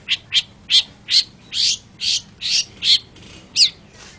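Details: Long-tailed shrike, known locally as cendet, delivering harsh, buzzy, scratchy notes repeated about ten times in four seconds. Each burst is broad and rasping, with a quiet background.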